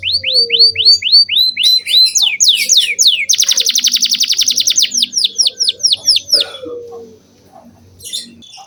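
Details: Canary in full song as a training lure for juvenile canaries: a repeated chain of clear rising whistled slurs, then a rapid buzzy trill, followed by more slurred whistles fading to near silence.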